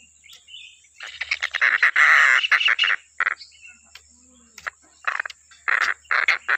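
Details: Stork-billed kingfisher calling nonstop, a recording intended for training other songbirds: harsh, screechy bursts in irregular clusters, some long and grating, with short gaps of quiet between them.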